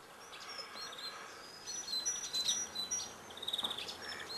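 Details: Eurasian tree sparrows (Passer montanus) give short, high chirps in irregular bursts, thickening toward the end, over a steady background hiss.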